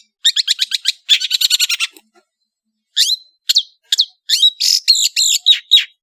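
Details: Varied song of a long-tailed shrike from Madura: a rapid string of scratchy chips, a pause, then sharp whistled slurs and harsh buzzy notes in an irregular sequence.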